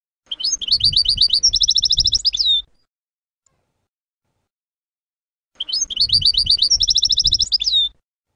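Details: Two identical European goldfinch song segments from a compiled chant tape. Each phrase lasts over two seconds of fast, crisp repeated notes that break into a trill and close on a descending whistle, with silence in between.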